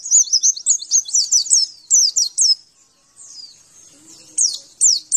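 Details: Javan white-eye song played to make caged birds respond: fast series of high slurred whistled notes, a short quieter gap, then more sharp downslurred notes.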